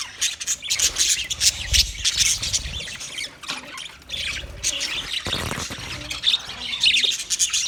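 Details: Budgerigars chattering on 29 February 2024: continuous high chirps, squeaks and warbles from several birds at once, with occasional low knocks and rustles.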